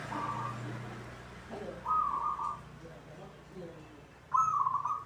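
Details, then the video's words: Local zebra dove in a cage, producing three level trilled coo phrases about two seconds apart, the last one louder, over a low droning hum. "hitungan detik perkutut cepat bunyi atau gacor"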